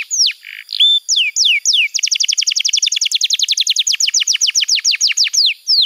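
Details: Canary song for training young birds: a few falling whistles and a buzzy note, then a fast steady trill of downslurred notes that slows near the end.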